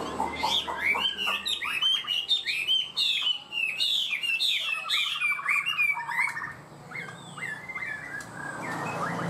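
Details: Chinese hwamei kept as a cage bird, singing high with quick, stable phrasing: a dense stream of varied whistled slurs and rapid repeated notes, with some background hum and a brief noisy burst at the end.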